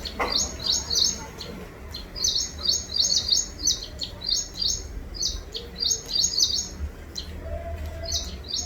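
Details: High, bright bird chirps come in rapid, uneven bursts of short tweets, with a faint low hum and a brief clatter near the start.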